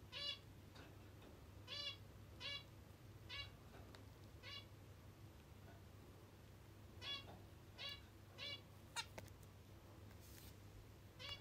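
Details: Zebra finch (キンカチョウ) indoors, coming over to be massaged with food still on its beak: short nasal honking calls repeated in irregular bursts, quiet against a steady low room hum, with occasional clicks.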